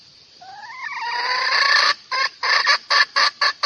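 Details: Hen calling a rooster as a lure: a rising drawn-out squawk that swells into a long harsh note, followed by a run of quick, clipped clucking notes.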